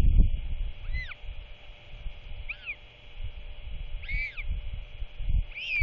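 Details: At dusk on 27 March 2024, a royal albatross father returns to feed his chick at the nest. Four short, arched, whistled notes, each curving up then down, spaced about a second apart over gusty wind.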